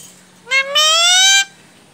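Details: Indoor pet Indian ringneck parakeet answering its owner's Hindi coaxing with one loud two-part cry: a quick rising note, then a sustained, buzzy, slightly rising tone of about 0.7 seconds, stopping abruptly into quiet.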